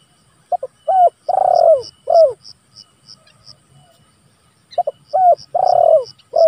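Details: A vocal spotted dove calling rivals, used as a lure and master recording: two repeated phrases, each brief double notes, a long buzzy coo and a drooping last note, with soft high ticking between.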